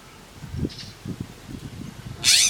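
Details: Western scrub jay at a feeding tray on a windy day, giving a single loud, harsh, raspy call near the end, preceded by low dull thumps and faint background noise.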